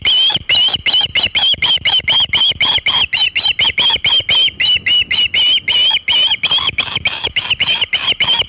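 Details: Persistent loud osprey piping at the Hog Island nest with a big shad, 27 August 2019 around 3:50 pm EDT: an unbroken string of short, harsh-edged whistles, nearly four a second.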